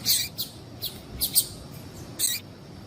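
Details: Captive female double-collared seedeater call meant to stimulate males: a run of brief, thin, high-pitched chirps, some doubled, spaced unevenly across a few seconds with faint background noise.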